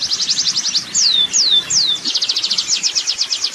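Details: Wild Oriental white-eye in rolling 'ngerol' song: fast high chattering note series, interrupted by three longer falling whistled slurs, then resuming the rapid trill; faint low background noise.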